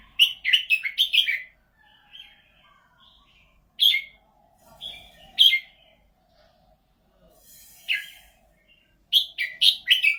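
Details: Red-whiskered bulbul from Thailand, noted for a golden voice, sings repeated lively phrases of rapid bright chirps and rich whistled notes, with short pauses between bursts.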